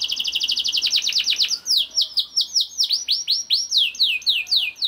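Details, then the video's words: A young canary's rolling song, played to stimulate other canaries into singing, opens with a rapid series of repeated falling notes, then slows into loud, evenly spaced downward slurs with faint high chips. "KENARI GACOR DOR NGEDUR NGOTOT CUIT CUIT NGEROL AMPUH PANCINGAN KENARI PAUD"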